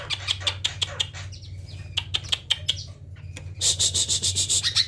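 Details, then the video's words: Sparse sharp chirps and short whistled notes from a tame Greater green leafbird singing isian when approached, ending in a loud buzzy high rattle, with a low hum throughout. "burung cucak ijo ini jinak klo didekati langsung bunyi isian melimpah"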